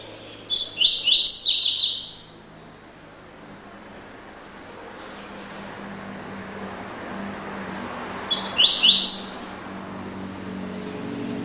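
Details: Double-collared seedeater singing the classic "tui tui" song: two short, bright bursts of high, rapid whistled and chirping notes about seven seconds apart, over a steady low hum of background noise.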